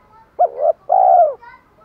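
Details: Spotted dove challenge calling and calling to hens: a low two-part coo, a short hooked note followed after a brief pause by a longer, steady hollow tone.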